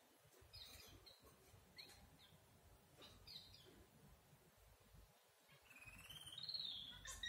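Red-whiskered bulbul giving short, bright chirps, then a clear rising whistled note near the end, over a low rumble of background noise.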